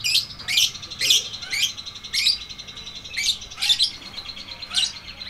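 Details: Caged lovebird delivering a long chattering 'ngekek' song used as training audio for stalled lovebirds: sharp harsh chirps repeated almost twice a second in an uneven run, with a steady high whine behind.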